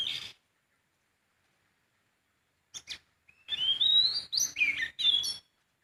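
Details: A sooty-headed bulbul sings in the wild: a few scratchy notes, then a quick sequence of bright whistled phrases that rise and drop, given in close bursts.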